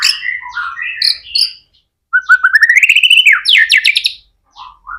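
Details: Energetic 'gacor' song of a white-rumped shama, intended to provoke other shamas to answer: varied whistled and slurred notes, then a rising, accelerating trill that climbs and breaks into high buzzy notes, ending with soft short whistles.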